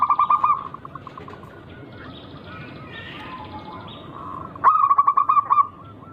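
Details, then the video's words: Local zebra dove singing a rare rhythmic song used to provoke rivals. Two rapid pulsed coo phrases, one at the start and one near the end, with quieter cooing and other birds' chirps in between. "Burung Perkutut Lokal berirama Unik Langka gacor"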